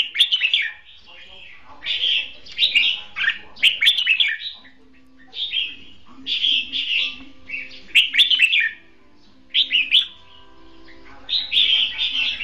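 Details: Red-whiskered bulbul, caged decoy for bird trapping, competition song of short cheerful warbled phrases repeated with regular pauses, each burst quick and slurred, a faint steady low tone behind.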